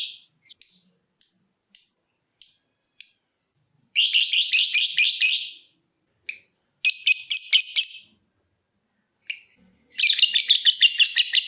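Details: Lovebird starting with spaced single high ticks roughly every half second, then breaking into bursts of dense rasping trill separated by short silences, a recording meant to spur other lovebirds into long trilling.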